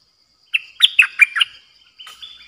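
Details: Streak-eared bulbul, a new caged decoy bird, recorded 6 May 2022, singing a pure 'open flower' style phrase: a short note, then four quick bright chirpy notes falling in pitch, followed by softer trailing notes after a pause.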